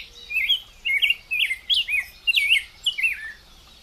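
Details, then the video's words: A Rose-breasted Grosbeak sings a quick, rich warbling phrase of about seven sweet, slurred notes rising and falling, with a faint hiss behind it. "Canto de pájaro degollado"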